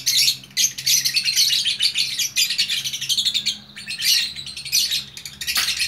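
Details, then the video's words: Gacor lovebird from Bukittinggi, West Sumatra, kept as a single fighter bird, pours out an almost unbroken stream of shrill, scratchy twittering, with only a few short gaps. "Burung Lovebird Gacor Orkestra"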